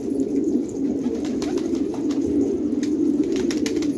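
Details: Close, rich cooing of fighting pigeons in an Afghan village at Khanabad, deep rolling notes overlapping in a strong steady chorus, with a few light clicks.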